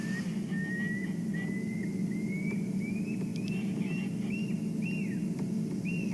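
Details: Pearl-spotted owlet heard on a sunrise safari drive, 29 June 2015: whistles climbing steadily in pitch and speed, ending in drooping 'peeu' notes, over a low vehicle engine rumble.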